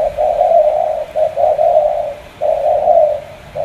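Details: Loud, close 'tú' style cooing from a Cà Mau spotted dove: long, sustained, throaty coos broken by short pauses, each phrase rolling for about a second at a steady low pitch.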